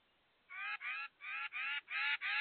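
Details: A titmouse at a bird feeder repeats harsh, nasal, buzzy calls in pairs, six notes in about two seconds, each note a rough, even-pitched rasp.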